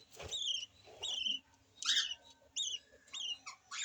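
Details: Calls from a new baby yellow lovebird: high, thin squeaky notes, each wavering slightly and bending down at the end, repeated roughly every half second to second, with one louder, harsher squeak midway.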